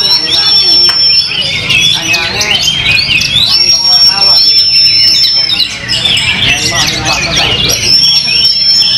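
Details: After its moult, a competition Oriental magpie-robin sings rapid, varied phrases, thick with twittering and buzzy notes. Sustained pure high whistles cut through every few seconds, and soft human chatter runs in the background.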